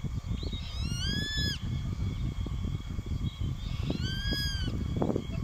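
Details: Juvenile grey-faced buzzard calling over and over at a perched adult, the pair sitting one above the other. Two drawn-out, clear whistled calls, each rising then gently falling, about three seconds apart, over steady low wind rumble.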